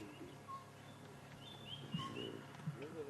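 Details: At sunrise on 1 September 2016 in Sabi Sand, near lions and cubs at a buffalo carcass, a boubou gives short, clear, bell-like whistles with higher thin notes between, over a low rumble and a woman talking.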